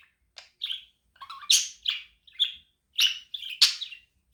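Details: Chattering budgerigar, its chirps said to help a lonely budgie become active; sharp, scratchy high notes mixed with brief warbled trills, delivered in quick uneven bursts.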